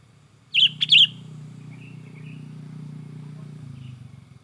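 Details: Sooty-headed bulbul singing excitedly: two quick bubbly, slurred notes, followed by soft fainter twitters under a steady low droning hum.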